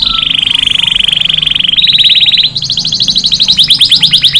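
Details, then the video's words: Canary song for stimulating males to sing and mate and for teaching chicks: a long, steady rolling trill, stepping up to a higher, faster trill, then sharp descending repeated notes. "أفضل صوت تغريد كناري خرافي لتهيج ذكور الكناري على التغريد والتزاوج وتعليم الفراخ"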